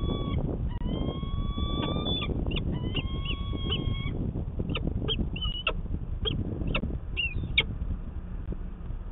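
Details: Early-spring morning courtship of peregrine falcons in Manchester, New Hampshire, 25 March 2020: two long, steady, rising wails, then a series of short sharp chipping notes, against low city traffic hum.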